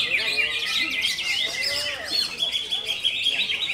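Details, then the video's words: High, fast konslet song from a greater green leafbird: bursts of sweeping chirps and rattling twitters, with some softer whistled slurs underneath, running continuously. "CUCAK IJO KONSLET"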